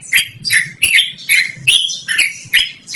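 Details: Loud yellow-vented bulbul (trucukan) song, suited to luring or training birds; quick bright notes, some doubled, about seven in three seconds.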